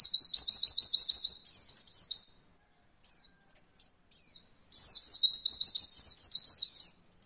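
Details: Oriental white-eye song used as a training recording for beginner birds learning a rolling style: fast high trills of rapid repeated notes in two long bursts, with a few soft scattered notes in the pause between.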